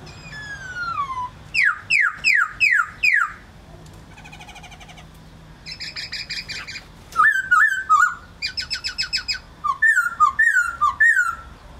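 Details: Varied laughingthrush song: a long descending whistle, then a quick run of rising slurred notes, a dry buzzy rattle, chattering harsh bursts, and final repeated down-slurred whistles over a soft low hum.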